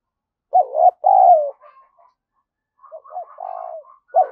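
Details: Decoy spotted dove cooing to lure rivals: a loud two-part phrase, a bent note then a long falling coo, fades into soft notes; quieter coos follow and another phrase starts, with silence behind.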